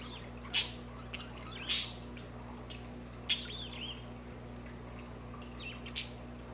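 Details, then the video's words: Budgerigar sounds meant for pet budgies: three sharp, loud, clicking chirps about a second apart, each with a short curling tail of a note, then a few soft chirps, over a faint constant hum. "Budgies for Budgies"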